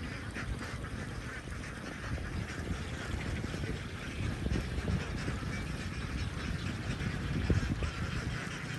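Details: A big flock of young ducks raised on a farm, heard as a loud, unbroken mass of overlapping quacks and chatter, with a deep rumbling background throughout.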